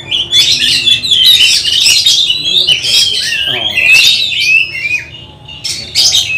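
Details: Oriental magpie-robin at home, tested ahead of a songbird contest: powerful mix of harsh buzzy bursts and quick whistles, loud and nearly unbroken, fading briefly near the end.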